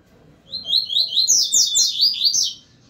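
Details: Double-collared seedeaters, two birds facing each other, singing: a rapid, high, sweet warbling phrase of quick slurred notes that runs for about two seconds before stopping.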